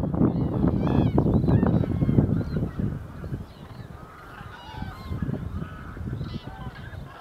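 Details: Common cranes calling in winter, 1 February 2014: a dense chorus of loud honking and trumpeting early on, then quieter overlapping rising and falling calls over low background rumble.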